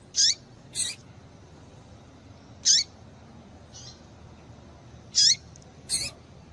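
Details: Female rusty-collared seedeater calls used to excite males: brief high sharp chips, paired at times, about five notes in six and a half seconds, with faint low hum behind.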